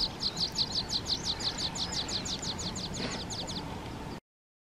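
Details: Water pipit recorded in Hrubý Jeseník, Czech Republic: a long, fast, even series of high clipped notes, about three per second, gradually fading, over continuous background hiss.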